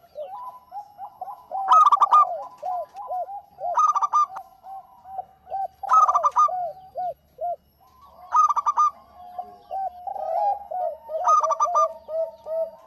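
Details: Local zebra dove in strong singing form, used as a lure: clear, repeated cooing phrases of short rising-falling notes, each bout opened by a bright burst, recurring about every two to three seconds.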